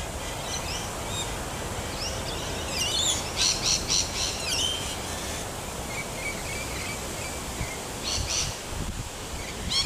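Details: Rainbow lorikeets at Wattle Park, Melbourne, Victoria, Australia, 11 August 2021, give bursts of shrill, harsh screeching chatter, loudest in the middle and again near the end, over a steady background rumble.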